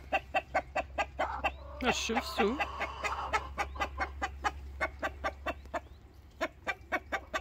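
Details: Complaining rooster clucking in quick, clipped bursts, over two per second, with a louder drawn-out squawking phrase midway, over a steady low hum.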